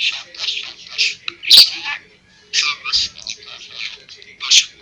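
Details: Pet budgerigar, described as speaking Kurdish, giving dense scratchy high chatter in short bursts of about half a second, with sharp clicks and a faint low hum beneath.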